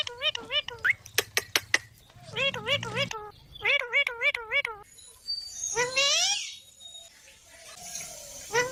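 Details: A green parrot chatters in quick repeated wavy syllables, then a sharp run of clicks, more bouncing voiced notes and a long rising squeal, with low hum underneath.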